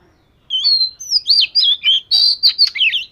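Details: Fish-scale Oriental magpie-robin in daily singing practice, delivering one loud, fast phrase of clear sliding whistles mixed with sharper trills and chirps, lasting under three seconds against a quiet background.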